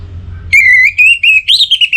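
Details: Orange-headed thrush kept as a songbird. It delivers a loud whistled phrase: a long, slightly rising note, then a run of short, clear, slurred whistles that rise and fall, in a quiet room with a faint low hum.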